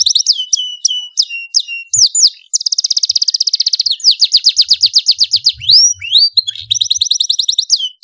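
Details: Constantly singing domestic canary with a loud voice, offered as tutor and trigger song for young canaries: repeated downslurred whistles, a dense buzzing trill, a run of rolling repeated notes, swooping phrases and a closing rapid trill.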